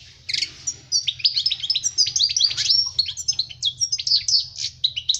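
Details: Song of a European goldfinch, used to teach young birds to sing: a rapid, continuous stream of high, tinkling twitters and buzzy chirps with liquid trills, rolling on without pause over a steady low hum.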